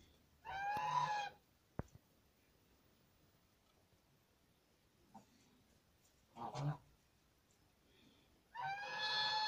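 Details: Farmed geese honking: two loud, nasal, harmonic-rich honks, one near the start and one at the end, separated by a sharp click and a long quiet stretch with a few faint, brief sounds.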